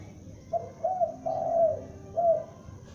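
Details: Loud calling of a young spotted dove used as a lure: a soft short coo, a mid note, then a long drawn-out falling coo and a final clipped note, low and mellow, with faint background rumble.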